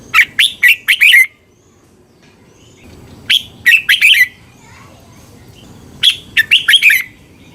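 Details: A Red-whiskered Bulbul from Thailand sings three bright, bubbly phrases of four or five quick liquid notes each, repeated about every three seconds, over a faint background hum.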